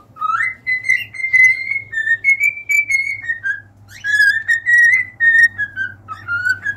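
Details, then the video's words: Cockatiel song filling the recording: long continuous melodic whistling with gently wavering, rising and falling notes, a brief pause mid-way before the warbling resumes, steady low hum underneath. "an hour of cockatiels singing!"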